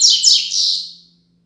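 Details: End of a Double-collared seedeater's Braddock 'Tui Tui Zel Zel Top' tutor song for young birds: two or three loud, harsh, sweeping downslurred notes fading quickly into silence, with a faint low hum.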